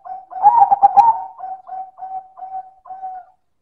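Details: Silver zebra dove (perkutut) singing loudly in manggung style: a loud, rough rolling burst of coos, then a string of softer, mellow, even coos about every half second, fading at the end.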